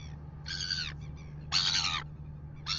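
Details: Red-billed gulls in New Zealand, heard at 6:27 in the morning as they pester a royal albatross at its nest: harsh, grating squawks about half a second long, given roughly once a second over a steady low hum.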